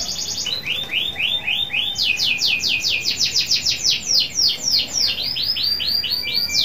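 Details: Energetic local canary song used to stimulate other canaries to sing. Rolling phrases of quick downward-sweeping notes run nearly without pause, shifting pitch between phrases, over a light hiss.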